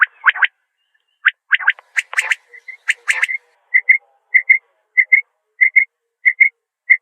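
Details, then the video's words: Common quail calling: after a burst of scratchy, mixed chirps, short clipped double notes repeat steadily, a pair roughly every half second, each pair sharp and mid-pitched, with no other sounds. "Common Quail Calling"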